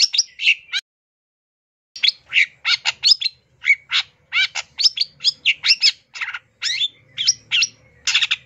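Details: Long-tailed shrike pouring out a dense, varied song of chattering chips, slurred whistles and rasping notes after a brief pause, in quick succession with hardly any gaps.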